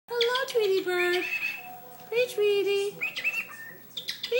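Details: Male pet cockatiel talking to two other birds, mimicking words such as "pretty tweety" and "Elizabeth" and cackling. Several speech-like harmonic phrases with sliding whistled tones, broken by brief pauses, sound loud and close indoors.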